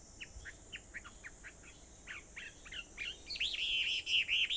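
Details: Birds on Aobayama, Sendai, at 4:30 a.m. on 21 July 2014: a string of short chirps about every quarter second, building into a loud, rolling whistled trill near the end.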